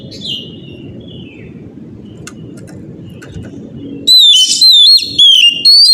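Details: Oriental magpie-robin in the morning, its song meant to spur other birds to answer: a faint thin note first, then quiet low rumble, then a burst of loud slurred whistles repeated about twice a second.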